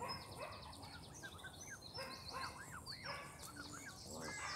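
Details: Grown-up Canada goose goslings at Longton Park, Stoke on Trent, on June 20, 2022, giving arched, rising-falling calls and a few nasal harmonic honks, with high twittering songbirds throughout and steady low background rumble.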